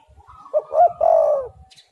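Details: Spotted dove lure song: a single deep, mellow coo phrase that starts with short stuttering notes and ends in a long, slightly falling hoot, with low murmuring noise underneath.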